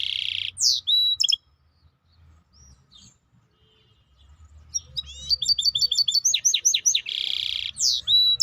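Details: Maestro bird song: a loud buzzy sustained note and sweeping whistles, a quiet gap, then a rich run of quick slurred chirps, rolling trills and another buzzy sustained note.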